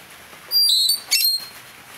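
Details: A blue-rumped parrot used as a decoy to lure wild birds gives two high, thin, whistled notes about half a second apart. The first note is slightly falling and the second is shorter.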